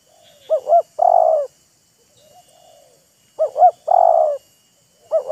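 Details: Wild spotted dove answering a decoy bird, the two showing off, teasing and luring. Mellow phrases of two bouncing notes and a long, level coo repeat about every three seconds, with quiet soft coos between them.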